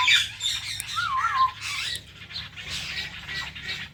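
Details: Indian ringneck parrot kept as a pet with a blue ringneck companion, giving harsh squawks and wavering whistled chirps over a low indoor hum.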